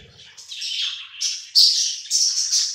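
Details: Pet budgerigars feeding together, producing rising buzzy chirps and a sharp loud squawk-like burst, with soft low rustling at the very beginning.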